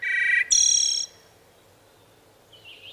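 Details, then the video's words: Wood thrush singing: a low, rich fluted phrase immediately followed by a higher, shimmering trilled flourish, then near silence with a faint distant whistle at the end. "Wood Thrush Bird Singing"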